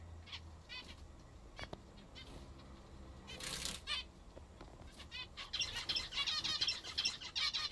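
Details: Zebra finches, kept birds, eating their favourite food; short nasal beeping calls repeated irregularly, then denser overlapping chatter, with a burst of wing flapping or rustling midway.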